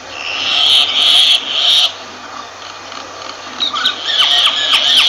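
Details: Myna producing several loud, harsh grating rasps, a quiet gap, then a mix of sharp falling whistles and renewed rasping.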